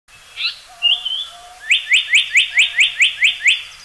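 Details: Japanese paradise flycatcher (Terpsiphone atrocaudata) song taken from a bird-call library: a few short opening whistles, then a run of about nine rising, slurred whistled notes repeated evenly, a little over two per second, in a quiet background.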